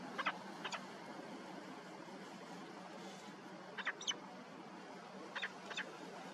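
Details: A male peregrine falcon driving a female from his territory in Cantabria gives harsh, clipped notes in quick pairs, three pairs over about six seconds, against steady background hiss.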